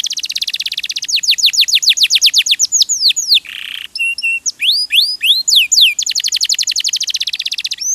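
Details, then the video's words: Canary singing as a training recording meant to prompt other birds to sing: fast trills of descending sweeps, short buzzy rattle, paired upslurred whistles, then another rapid even trill. "MASTERAN KENARI RAJIN BUNYI"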